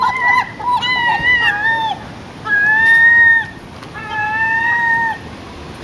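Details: Gull squawking for food: loud, drawn-out nasal cries with a strained, level tone, several in a row with brief gaps, over steady background hiss and faint water sounds.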